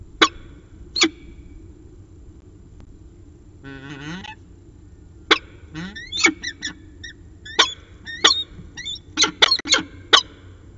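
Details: CSU Orange peregrine falcon, 15 January 2019, 5:45 pm. Spaced harsh notes come first, then a buzzy grating rattle near the fourth second. Calls then come in quickening, rasping bursts.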